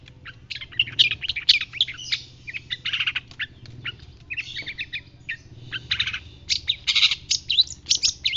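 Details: Shrike called 'pentet laut dada putih' (white-breasted), recorded as a tutor to make other birds answer. It delivers an energetic jumble of scratchy chirps and buzzy notes in quick bursts, over a soft, steady low background hum.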